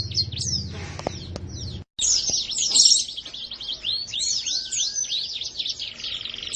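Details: Canary singing gacor style, a dense stream of high arched whistled notes repeated quickly after a short break, with a faint low hum early on.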